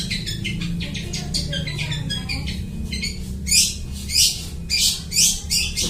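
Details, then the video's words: Long-tailed shrike, a vocal bird singing and imitating other birds, used as a lure for bird trapping. Harsh, buzzy notes come in quick bursts, with louder broadband rasping phrases near the end and low background hum. "cocok buat mikat, suara burung cendet gacor niruin suara burung lai"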